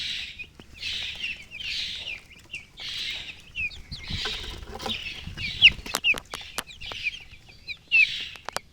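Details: Baby chicks cheeping in short high bursts, about one cluster every second, with a few clear descending peeps and occasional sharp taps.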